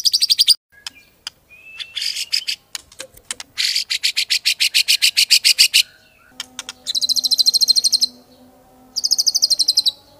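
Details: Owned white-rumped shama giving long runs of very fast, high, repeated ticking notes in several bursts, over a faint low electrical hum.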